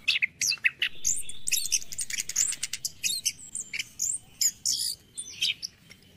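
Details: Orange-headed thrush song in the morning, used to get caged birds singing. Continuous rich medley of fast scratchy notes, buzzy bursts and high whistles, tumbling along with few pauses.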